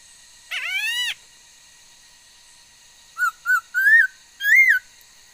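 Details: Female laughingthrush with a varied song, recorded 13 August 2021: a harsh rising drawn note, a pause, then four clear whistles, two short and two longer arched ones, building in loudness.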